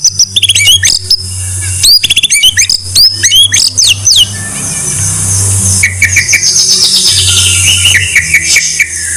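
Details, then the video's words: Training song of a white-rumped shama: quick descending whistles and clipped chatter at the start, a hissy gap, then a softer run of repeated downward-sliding notes. "Masteran MURAI BATU No.1 paling di cari kicau mania mantab"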